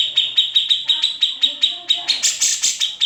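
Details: Grey-cheeked bulbul (cucak jenggot, kamandanu) recorded without editing for teaching other songbirds; evenly repeated sharp high notes about every quarter second, turning harsher and buzzier near the end, soft low warbling underneath.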